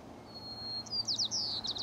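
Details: Song of a White-crowned sparrow recorded at Dorena Genetic Resource Center in Umpqua National Forest, Oregon, USA. A long, clear, level whistle leads into a burst of sharp, buzzy, trilled phrases against a quiet background.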